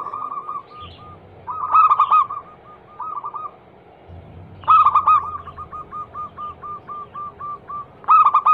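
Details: Zebra dove lure song, a vocal female calling the male, meant to set quiet caged doves singing: loud clustered coo bursts about every three seconds, each trailing into a run of short, even, mellow notes.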